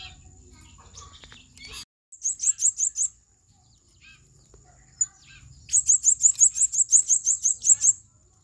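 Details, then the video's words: Blue-crowned hanging parrot singing in 'ngobra panas' style, a heated burst of song: two bursts of rapid, very high, thin squeaky notes, a short run of about five and then a longer run of about thirteen, over faint low background noise. "SERINDIT NGOBRA PANAS"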